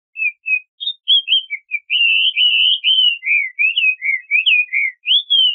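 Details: A Chinese hwamei singing in the wild: a rich, varied run of clear whistles, slurred up and down in quick succession, with a few short notes first. No other sounds.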